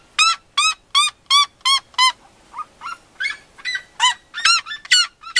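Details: Loud, sharp yelps of a red-legged seriema repeated quickly, interrupted by a few lower, softer notes before the yelping series resumes.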